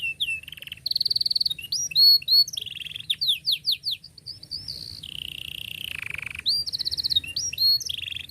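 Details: Canary in full song as a tutor for young birds: buzzy trills, swooping whistles, a long descending rolled note and fast chirp runs, delivered without pause.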